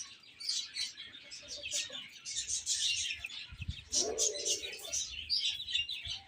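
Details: Young chickens feeding and playing, chirping in high, rapid, overlapping peeps; a soft low knock and a brief murmuring note appear midway.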